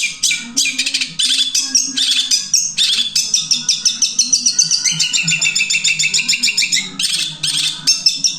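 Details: Long-tailed shrike, caged, singing a varied song in one breath with three melodies: rapid repeated chattering notes, sweet whistled trills and a long rising buzzy phrase, with steady low hum behind.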